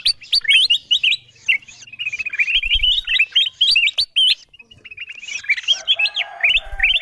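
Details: Kutilang emas bulbul calling, used as a lure so wild birds come down to the sound: energetic bursts of whistled chirps and a stretch of softer twittering. A faint hum is heard toward the end.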